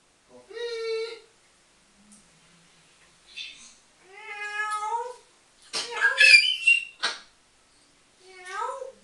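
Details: Pet African grey parrot having fun talking and whistling indoors: long drawn-out tonal wails that slide downward like meows, separated by pauses, then a burst of harsh, raspy squawking syllables, ending with another falling wail.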